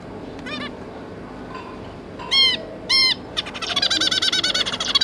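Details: Zebra finches, a pair with three juvenile offspring, on 5 August 2022. A few loud, clear nasal calls stand out singly, then give way to a rapid, continuous string of buzzy calls.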